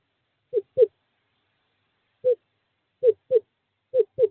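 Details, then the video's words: Screech owl, a male calling a female to a nest box in courting season, 2/11/2023. Sparse paired hoots, short and dropping in pitch, sound with long silent gaps between pairs. "Male screech owl calls female to owl box 5"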